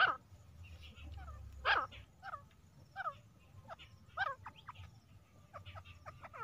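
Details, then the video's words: Hunting recording of a female grey francolin (teetar): a strong opening note and a loud call near two seconds, then repeated descending notes and a closing cluster of short rapid notes over low rural noise. "best clear female Teetar sounds | grey francolin hunting sounds"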